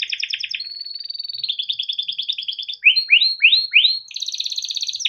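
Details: ['Yellow canary male sings a long rolling song for training young canaries: a rapid two-tone roll, a smooth level trill, four loud swooping notes, then a high, fast buzzy trill.']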